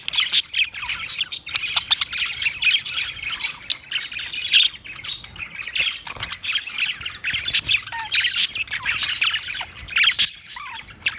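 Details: Budgerigars chattering: a dense, continuous stream of high, scratchy warbles and short sharp chirps, with a couple of brief descending whistles near the end and no other clear sounds.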